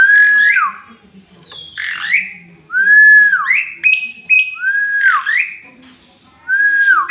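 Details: Male Javan pied starling singing as a master-song recording: loud, clear whistled phrases that slide down and then turn up, repeated about every second, with brief squeaky notes between them.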